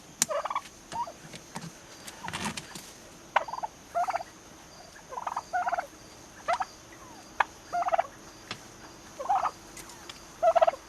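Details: Nearly six-month-old turkeys heard at moderate distance making brief nasal, rattling bursts spaced one to two seconds apart over a steady low hum, with a couple of sharp clicks.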